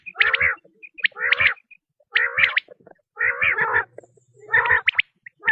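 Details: Tested quail call for luring quail: repeated phrases, each a sharp high whistle followed by a buzzy, wavering trill, coming about once a second with quiet gaps.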